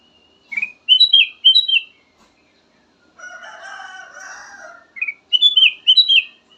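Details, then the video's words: Ruby-throated bulbul song, recorded as a lure, in clear warbled whistle phrases at the beginning and end, while a rooster crows loudly and harshly in the middle of the passage. "VARIASI KICAUAN BURUNG KUTILANG EMAS"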